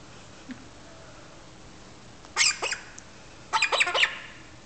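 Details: Two 2-month-old galah (rose-breasted cockatoo) chicks on a railing after eating give two bursts of harsh, grating screeches, each a quick cluster of rasping notes about a second long, over a quiet background.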